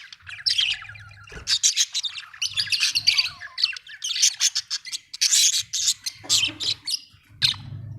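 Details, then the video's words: Happy pet budgies chirping: a busy, continuous stream of rapid, scratchy high chirps and warbles from birds calling together, with short low hums between bursts. "happy budgie chirping sound"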